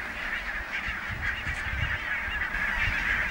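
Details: Many barnacle geese calling together at Niittylahti in Savonlinna, Finland, 5 October 2017: rapid overlapping barking honks merge into a steady chattering din, over low background rumble.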